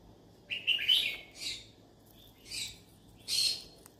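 A yellow-sided conure gives four harsh, screechy chirps over four seconds, the first a rising double note, the rest short scratchy bursts.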